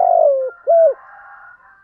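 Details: Morning cooing of a spotted dove used as a lure: a drawn-out falling coo followed by a short rounded coo, then a faint steady tonal hum.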